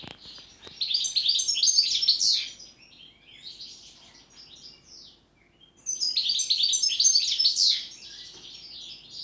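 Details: European goldfinch giving its pletivo-style song: two bursts of rapid, high, tinkling twitter with buzzy and nasal notes, each lasting about two seconds, separated by a quieter stretch.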